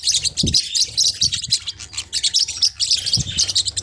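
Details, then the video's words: Forpus parrotlets giving rapid, high-pitched chirps and tweets in quick bursts, with a few soft low thumps underneath. "เสียงนกแก้วฟอพัส เพราะมาก"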